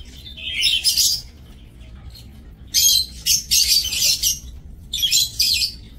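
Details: Lovebirds in a breeding aviary, recorded 30 May 2024: harsh, shrill screeching bursts, each about half a second, clustered in rapid chattering runs with short quiet gaps between groups.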